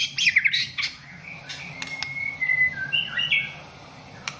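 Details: White-rumped shama, a caged national contest winner, opens with harsh squawky notes. A long level whistle and a few warbled phrases follow, with occasional sharp clicks and a constant low hum behind.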